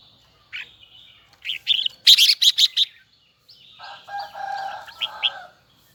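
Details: Red-whiskered bulbul of the Huế type sings a high, twisting double-note phrase: a few rising chirps build to a loud cluster of sharp notes, followed by a fainter warbled passage over a lower steady tone.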